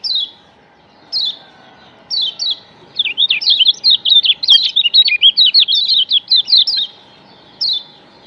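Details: Lemon-bellied White-eye (Lombok yellow white-eye), used as a lure for other white-eyes, gives a few thin, high, downslurred chips, then a quick twittering run of about a dozen bright notes, ending with one last chip.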